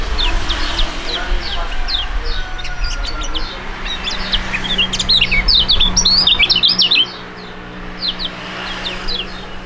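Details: Duet by two young Indonesian contest songbirds of fighting type: scattered high chirps build into a fast, tangled burst of sharp slurred notes around the middle, then thin out to occasional faint chirps.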